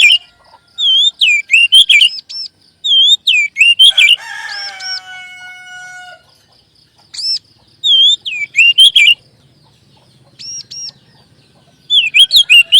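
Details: Kacer, or magpie-robin, in a lure recording for caged birds: repeated bursts of high arched whistles and chattery notes, plus one drawn-out nasal, harmonic note, with faint steady high ticking behind.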